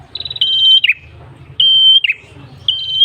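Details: Red-headed prenjak tailorbird song for attracting birds: a stuttering rapid lead-in flowing into a long even whistle that ends in a falling flick, repeated three times over a soft low hum.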